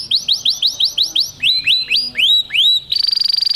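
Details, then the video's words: Canary song meant to activate males, with a run of quick curved chirps about six per second, a phrase of lower, slower swooping notes, then a fast buzzy rattle. "غناء كناري لتنشيط الذكور Canary singing to activate males"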